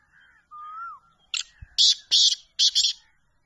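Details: Champion black francolin from Pakistan, of the chakri wala speeder style: after a soft whistled rising-falling note, a burst of four harsh, buzzy, scratchy notes follows in about two seconds.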